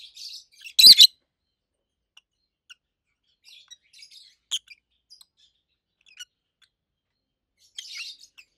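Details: A loud harsh chirp from one of two adult pet rosy-faced lovebirds, followed by faint scattered ticks and a soft buzzy chirp, in a quiet room.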